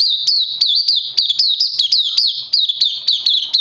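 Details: On its second day of Lava Direct and Life Force supplements, 31 May 2020, an oriental white-eye delivers rapid high squeaky chirps, down-slurred and tightly packed, with soft low taps in the background.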